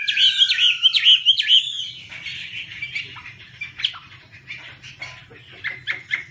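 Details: Chinese hwamei waving its wings while singing: a quick run of bright, clear whistled notes, then a softer, rambling sequence of varied chirps and slurred whistles with short pauses.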